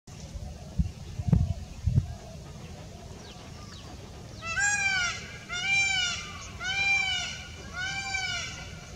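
A male peafowl gives four loud, nasal, wailing calls about once a second, each arching up and falling. A few low thumps come before them.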